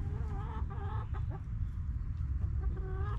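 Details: Backyard hens in their coop clucking in short harmonic phrases, several overlapping calls in quick succession over a steady low rumble of background noise.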